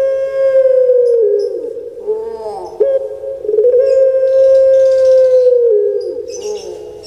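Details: Long drawn-out coos from a kept puter pelung collared dove in Indonesia: steady, hollow, mid-pitched notes held for several seconds each, falling at their ends, separated by short rising quavering notes, with faint hissy background noise.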